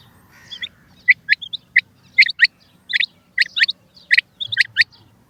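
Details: Female rain quail calling: sharp, clipped double notes in quick pairs, repeated unevenly about once a second, with a faint low rumble underneath.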